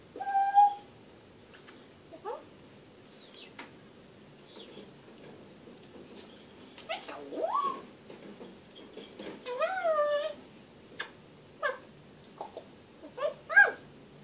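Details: African grey parrot talking: varied whistled notes with quick rising and falling sweeps, a few harmonic, speech-like bursts spread unevenly over the recording, with pauses between them in a quiet room.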